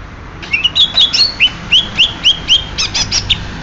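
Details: Greater green leafbird, Banyuwangi type, delivering a quick run of rising, slurred whistled notes about four per second, sweet and high-pitched, with a few sharp chirps.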